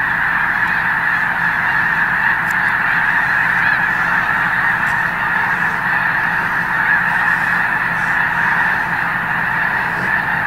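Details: Snow Geese in a flock of over a million at Loess Bluffs National Wildlife Refuge, February 2020, keeping up a steady, slightly softer blanket of overlapping honking calls throughout.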